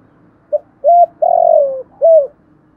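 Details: Single spotted dove phrase in thổ voice style, used to provoke wild doves: a brief pip, a rising hollow coo, a long sliding downward coo, then a short final coo.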